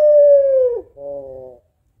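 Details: Female African collared dove calling to the male: one long, smooth, mellow coo that slides gently downward, followed by a shorter, rougher, hoarse-sounding note, then silence.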